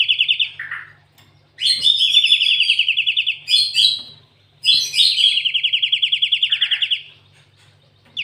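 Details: Cinereous tit (gelatik watu) delivering canary-style fill song: long, rapid rolling trills held steady and bright, each run lasting several seconds before dropping and breaking off, over a faint steady hum.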